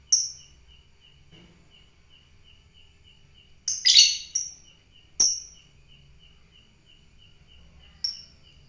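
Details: Fighter lovebird calling with scattered sharp, shrill chirps, including a cluster of three quick harsh notes, set against a faint, regularly repeated high ticking tone and quiet low hum.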